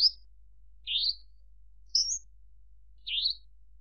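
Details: Javan bush lark giving four separate slurred, upward-sweeping whistled notes, roughly one per second, with quiet gaps between them.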